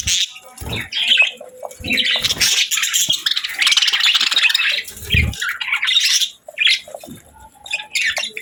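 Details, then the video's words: Budgies chirping and squawking: scratchy, buzzy warbles in long runs, sharp squeaks, a brief gap, then more chirps and faint thuds. "Relaxing & Soothing Budgie Sounds"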